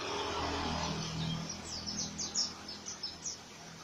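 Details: Oriental white-eye giving its coarse ngriwik song, a quick string of sharp, high, falling chirps in the second half after a stretch of low rumbling background noise.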